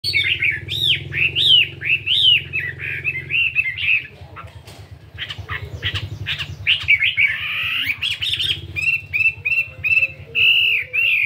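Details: Caged fighting-type Chinese hwamei, 72 grams, doing morning singing practice with shifting voice: loud varied whistled phrases and slurred notes, a quieter gap midway, then rapid repeated notes, over a steady low hum.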